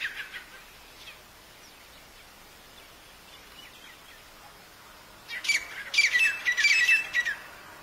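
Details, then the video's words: Black francolin, locally called Irani teeter, at Nawabshah: after about five quiet seconds, a loud harsh burst of grating, stacked notes lasting about two seconds, then quiet again. "Irani Teeter Ki Awaz | Black Francolin"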